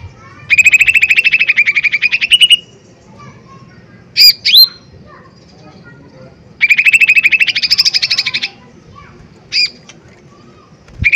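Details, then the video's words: Lesser green leafbird, a loud lure recording meant to provoke other birds into singing: two rapid rattling trills of about two seconds each, with sharp upslurred whistles between them over a quiet low hum. "Pancingan Cucak Ijo Mini Gacor Full POWER Tembakan keras Mancing Emosi"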